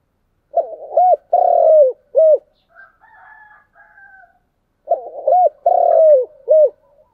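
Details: Spotted dove cooing in the chiêu and thúc styles, two full phrases about four seconds apart, each a short coo, long buzzy drawn-out coo and short closing note; faint higher chatter fills the gap between.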